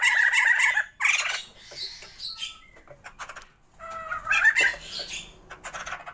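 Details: Sumatran white-crested laughingthrushes, a captive breeding pair, utter harsh cackling bursts and squawks with a few clear whistled notes between louder phrases.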